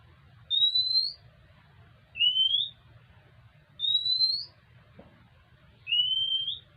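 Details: Oriental magpie-robin that comes daily to beg for food: four clear, slightly rising whistles, alternating higher and lower pitch, about one every one and a half seconds, over a quiet low hum.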